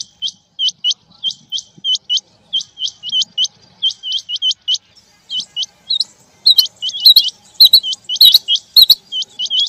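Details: Quail, male and female, calling in rain: a steady stream of short, high, rising chirps, paired and tripled, growing denser toward the end with sharp clicking bursts.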